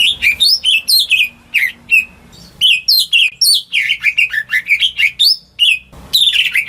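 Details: A home-kept greater green leafbird sings as a lure for silent birds, pouring out dense, jumbled whistles and chattering notes that slide up and down, with one short break near the middle.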